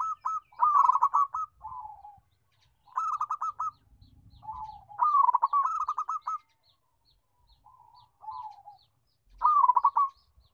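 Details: Loud, melodious local zebra dove repeating short bursts of rapid trilled cooing, each preceded or followed by a soft falling coo, with phrases separated by pauses of one to two seconds.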